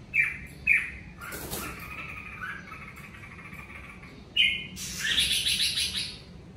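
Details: Red-whiskered bulbul heard in the covid season: two crisp whistled notes, a stretch of softer warbling, then a loud note followed by a harsh, noisy chattering burst.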